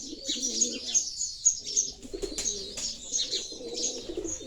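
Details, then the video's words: Pigeons give low, throaty rolling coos in short bursts, under a steady stream of bright, high sparrow chirps. "the sounds of pigeons"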